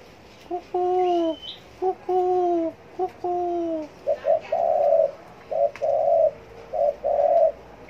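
Spotted dove cooing: three soft, paired, slightly falling notes, then a run of fuller, rounded coos at a steady pace, with a faint chirp in the background.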